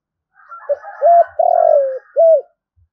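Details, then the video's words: A spotted dove calls in the 'thúc' style to provoke wild doves into fighting, giving one coo phrase of a short note, two hollow coos and a long descending coo, with faint higher twittering behind. "tiếng cu gáy thúc/ Chim cu gáy gọi cực hay bổi nghe là về đấu liền"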